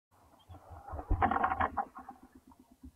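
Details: Owlets huddled in a baby pile in the nest of eight hatched from the first clutch, calling as their mother returns; soft low rasping and wheezing bursts, loudest in the middle, then quieter rhythmic pulses.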